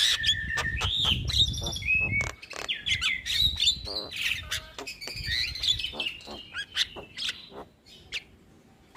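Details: Young starling on a training recording played routinely so silent starlings turn into keen singers. It gives long streams of whistled, wavering slurs mixed with rapid clicks and chatter. The phrases fade out toward the end.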